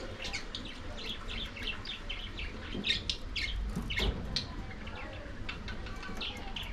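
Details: Lovebirds eating corn, uttering rapid high sharp chirps and squeaky notes in a busy chattering series, with a low rumble and a few louder thumps in the background.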